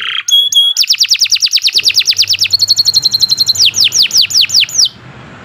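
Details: Long-running canary song used as a training model: a few short notes, then a very fast even trill of falling sweeps, a held tone, and slower downward whistled sweeps.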